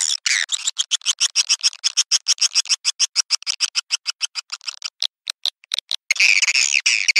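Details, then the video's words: Swiftlet lure call played to draw swiftlets into bird houses: a fast train of sharp, dry clicking chirps, roughly three per second, breaking off briefly before a dense burst of buzzy twittering at the end. "Suara Walet Panggilan Ampuh"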